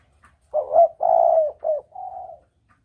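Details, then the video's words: Spotted dove lure call for hunting, double-kuk style: a single phrase of a rising coo, a long husky mid-pitched coo, a clipped note and a softer trailing coo. "Suara pancingan Tekukur || suara pikat tekukur || mp3 suara tekukur jernih"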